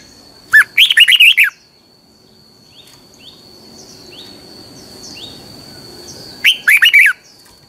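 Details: Red-whiskered bulbul in a cage sings its morning training song: two brisk phrases of tumbling warbled notes several seconds apart, with a steady high insect-like tone and faint chirps between.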